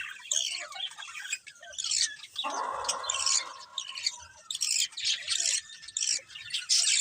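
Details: Budgies chirping: a continuous high, twittering chatter of quick squeaky notes, broken midway by a harsher, lower, buzzy squawk lasting about half a second before the chirping resumes.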